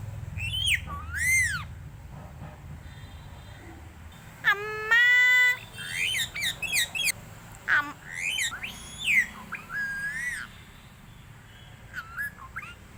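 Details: Pet Tamil-talking parrot calling to a crow and other birds, giving a string of whistled, squawky phrases with rising and falling slurred notes and a short harsh burst, like imitated speech and crow "kaa kaa" calls.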